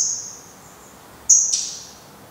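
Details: Black redstart near its nest as the last chick leaves, 24 May 2020: a fading high whistle, then a sharp high double note with a drawn-out tail.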